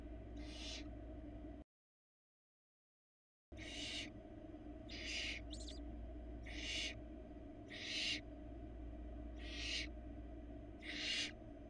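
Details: Hungry barn owl nestlings, four chicks on a Florida nest camera, fed a rabbit by their mother: a long series of rasping hiss-screeches about every 1.3 seconds, broken once by a short gap, low hum throughout.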